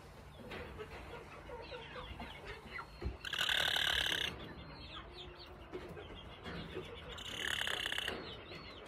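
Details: A happy backyard Appenzeller Spitzhauben hen gives two loud, bright, drawn-out calls about four seconds apart, between softer low clucking and background chatter.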